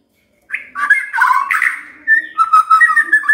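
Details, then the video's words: Magpie-robin song used to prompt a silent bird into singing: a rich run of warbled whistles, some rough, followed by a quick series of clear sliding notes. "Pancingan Murai DIAM Agar Rajin Bunyi"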